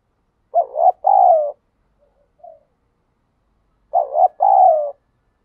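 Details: Wild spotted dove performing 'thúc gù' cooing: two mellow phrases, each a wavering double note then a longer falling coo, with a faint quiet coo in the gap between.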